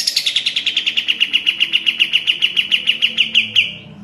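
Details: Master song of a sooty-headed bulbul (kapas tembak), used to train caged birds: a steady, rapid series of clipped, ringing notes, about seven a second, slightly falling at the start and held even for nearly four seconds.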